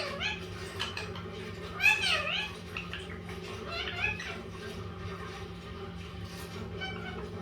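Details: Green-yellow mutation Indian ringneck parakeet, a chatty pet bird indoors, utters a few looping, wavering speech-like syllables in the first half, then quieter scattered chatter, with a steady low hum in the room.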